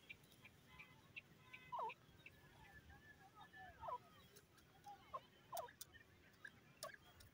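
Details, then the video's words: A dakhni teetar (francolin) gives short, harsh, dropping notes at irregular intervals of one to two seconds, over faint chirps of other birds and steady background hiss. "teetar bird ki sweet awaz"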